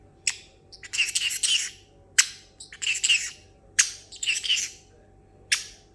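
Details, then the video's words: Pet male parrotlet in a high mood after treats, imitating noises; sharp single chirps alternate with noisy, hissing, splashy chatter bursts, repeated several times over a few seconds. "the parrotlet making water sounds"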